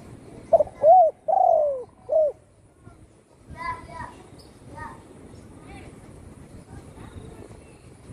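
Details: Home-kept spotted dove that survived a gunshot wound to the wing sings one mellow phrase of four coos, the third long and sliding downward. Human voices follow the phrase.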